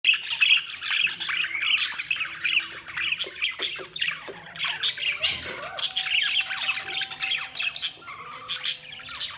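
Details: Budgerigars chirping: dense, overlapping scratchy chatter and squawks, mostly high-pitched, with short warbled notes and occasional longer tonal whistles, continuous throughout.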